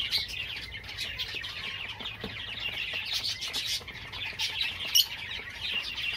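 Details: Java sparrows in full song: thick high twittering with overlapping chirps and soft trills, and one sharp, louder squeak standing out near the end.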